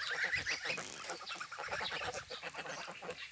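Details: Domestic geese swimming on the Volga honk in a busy, overlapping flock chorus, with several nasal calls per second from many birds at once.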